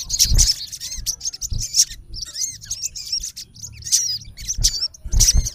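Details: Male olive-backed sunbird calling at a rival, loud bursts of high chirps and squeaky slurred notes recurring roughly every second, with low thuds between.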